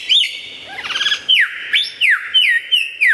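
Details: Lyrebird singing vigorously in a clear, loud recording meant for tutoring songbirds: a brief rattling trill, then loud down-slurred whistles repeated roughly every half second.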